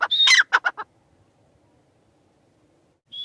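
A grey francolin gives a quick burst of loud, harsh, ringing notes, falls silent for over two seconds, then starts a new phrase.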